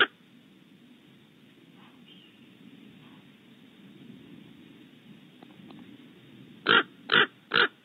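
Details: An ill-tempered raven making a racket outside a barn owl nest cavity at Starr Ranch, California, gives three loud, harsh, grating calls in quick succession, about half a second apart, after several seconds of low background hum.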